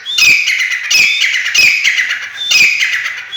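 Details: Harsh, rasping phrases from a black francolin of the Sindhi type kept for sale, repeated steadily about four times in three seconds. Each phrase is loud, grating and slightly descending, with little background sound.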